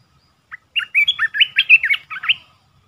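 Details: Red-whiskered bulbul decoy singing at a wild bird it has lured for several days, July 2021: a quick phrase of bright, warbled chirps that rise and fall, loud and clear against a quiet background.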